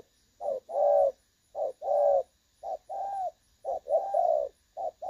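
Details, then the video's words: Decoy recording of a spotted dove, dated 16 August 2024, prized for its clear "đồng son" voice; mellow low coos in short-long pairs, each long note slightly swelling, repeated about once a second. "ĐỒNG SON | Giọng trong nghe hay"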